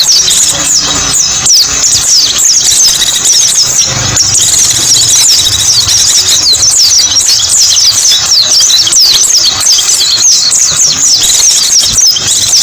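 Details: High, fast twittering of a mountain white-eye used as a lure: a long, busy run of thin, sliding chirps repeated without break, with slight low rumbling noise underneath.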